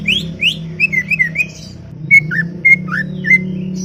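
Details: Greater green leafbird, called talkative, in a garden: scattered rising and falling whistled notes with short pure whistles, fairly soft over a steady low hum.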